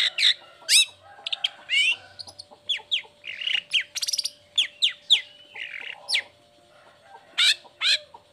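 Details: Long-tailed shrike, a vocal bird uncovered from its cage, used as a lure for sluggish or moulting shrikes. A rapid, varied chatter of high swooping whistles and sharp chips comes in quick bursts with a brief buzzy trill midway.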